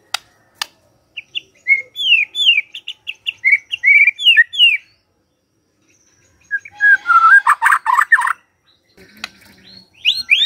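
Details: White-rumped shama lure song for the morning to get silent shamas singing: scattered sharp clicks and short bursts of quick slurred whistles separated by silent gaps, with a dense chattering phrase near the end.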